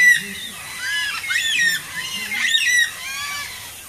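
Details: Carnaby's black-cockatoos visiting a bird bath in Subiaco, Perth, Western Australia; harsh, harmonic squawking calls rise and fall in two main bursts about a second apart, with softer calls between and low human voices murmuring underneath.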